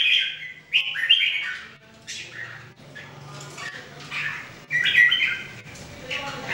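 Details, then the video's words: Red-whiskered Bulbul in daily singing practice, one of three caged birds, delivers short bubbling whistled phrases in bursts with brief gaps, chirpy and slightly squawky, over a low background hum. "Training Jambul birds singing everyday 2018"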